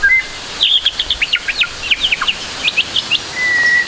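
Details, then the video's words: White-rumped shama song used to spur young birds into singing: a brief whistle, then quick scattered high chips and short slurs, ending in a clear sustained whistled note. "MASTERAN MURAI BATU TROTOL AGAR CEPAT BUNYI, MURAI BATU FULL ISIAN"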